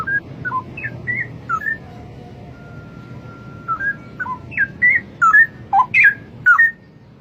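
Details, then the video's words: Wild straw-headed bulbul giving loud, mellow whistled warbles, short bubbling notes that jump up and down, a brief phrase, a gap with a faint steady tone and low rumble, then a longer run of about ten rich gurgling whistles. "Burung cucak Rowo di alam Liar berkicau indah"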